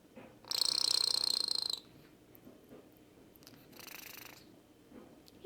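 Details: Pet rainbow lorikeet sitting in its owner's palm while being petted, purring: a buzzy, rapidly pulsed burst lasting just over a second, then a softer, shorter pulsed bout near the four-second mark, with a brief sharp sound at the very end.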